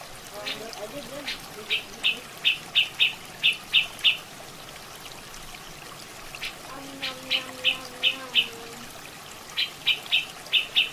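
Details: Black-headed bulbul heard against flowing water, giving clusters of crisp, high chipping notes in fast runs, with gaps between bursts and low watery burbling throughout.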